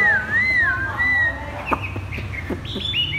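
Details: Chinese hwamei kept in a cage, singing 'thắt cổ chai': smooth undulating whistled notes, followed by a few dry clicks and short high rising whistles, with a low background hum.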